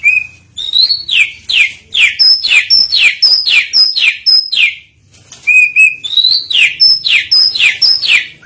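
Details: Oriental magpie-robin (kacer) singing as a lure to prompt other birds: a rapid run of loud whistled notes, each sweeping steeply downward, mixed with short high piping notes, with a brief pause midway before the phrase repeats.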